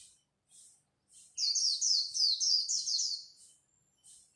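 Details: Competing at dawn, a white-eye delivers a sustained run of fast, high, bright warbled notes, framed by soft high chirps before and after.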